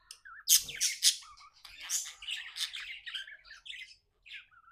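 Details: Happy budgerigar kept as a pet: two sharp, loud squawks, then a stream of chattering warble fading into soft, short chirps with a brief pause.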